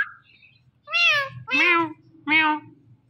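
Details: Pet Indian ringneck parakeet talking: three loud, drawn-out, meow-like nasal calls, each about half a second, spaced roughly every 0.7 seconds over a steady low hum.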